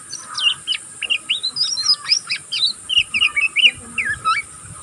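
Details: Learning young oriental magpie-robin twittering continuously: rapid sequence of short whistled slurs and chirps, roughly three or four notes per second, with quiet background.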